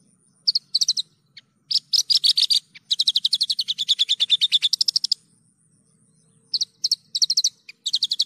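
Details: Vigorous Javan bush lark song: clipped chirp groups, then a long fast trill of buzzy notes lasting two seconds, more chirp bursts after a pause, over a faint low hum.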